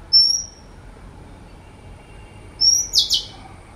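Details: Oriental magpie-robin giving a long, level, high whistle, then after a pause another whistle running into a short burst of buzzy, rapid notes.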